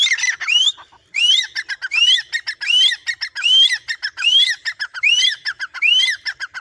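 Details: Captive, tame Grey francolin that starts calling at its owner's whistle. It gives a steady repeated phrase, roughly once a second: a rising ringing whistle followed by a clipped harsh note, over a rapid pulsing background.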